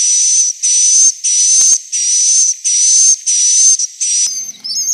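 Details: Swiftlet call used to draw swiftlets to roost: seven loud buzzy bursts, each about half a second long, with a steady high whistle inside them. The bursts repeat almost back to back, then break into scattered chirps.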